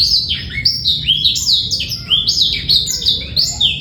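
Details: Black-throated canary male singing a clean training song for young birds and to bring hens into breeding condition, no trill: quick series of bright notes, each sliding sharply downward, repeated in a lively chattering stream.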